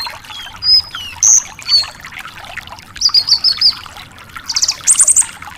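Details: Energetic Javan bush lark song meant to prompt a response from young larks: short high whistles and slurred notes, then a run of quick chirps and a buzzy trill at the end, with a faint watery hiss behind.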